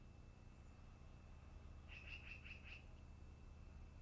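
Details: At a long-eared owl nest in the afternoon comes a quick, even string of five short, bright notes, then quiet. A steady high electrical tone and low rumble continue throughout.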